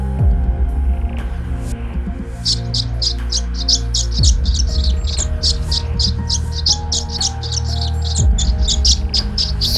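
A swallow's rapid, high twittering chirps, about four or five a second, begin after a quiet start, over steady background music and a low hum.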